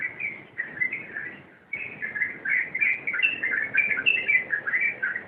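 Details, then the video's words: Yellow-vented bulbul performing rompelan song, fast chattering phrases of sweet chirps and twittered slurs, a brief lull near the start, then a denser, livelier rush of notes. "Suara Rompelan Burung Trucuk"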